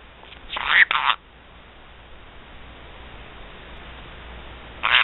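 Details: Black-headed caique giving a few short, harsh, raspy squawks in quick succession, then a steady hiss of background noise before another brief harsh squawk at the end.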